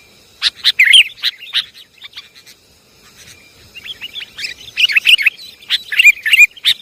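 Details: Sooty-headed bulbul calls used for luring birds: lively chattering chirps and looping whistled notes, an opening burst, a quieter stretch, then a busier, denser run of overlapping phrases.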